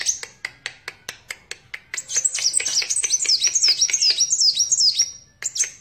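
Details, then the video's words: Kolibri wulung sunbird giving spaced sharp clicks that speed up into a long, fast, very high twittering phrase of swooping notes, ending in a brief pause and a final chip. "Burung Kolibri Wulung / Kaca Gacor"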